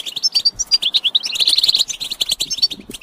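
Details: European goldfinches in a group chirping chorus, described as mating calls used to stimulate males to sing: rapid, tinkling, buzzy twittering notes tumbling over one another without pause, with brief higher whistled notes woven through.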